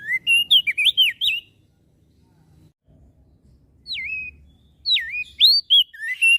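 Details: Javan grey-throated white-eye in full song, said to stir other birds into calling too: bursts of sweet, looping whistles, a fast chattering phrase, then a pause of over two seconds, then more swooping slurred whistles.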